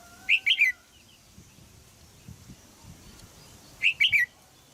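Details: Caged female red-whiskered bulbul in Thailand calling to stimulate a young male to sing: two bright three-note chirping phrases, about three and a half seconds apart, with quiet low background noise between.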